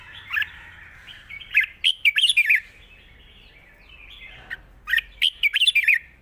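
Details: Long-phrased wild-style song of a Red-whiskered bulbul, sung lightly: two lively phrases of quick, bubbling, up-and-down whistles separated by a short quiet gap.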